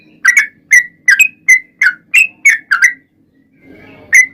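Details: Lively 'gacor' song of a yellow-vented bulbul, meant to coax other bulbuls into answering: eight quick, liquid, slurred notes, some doubled, followed by a short gap with a soft low rumble and one last note.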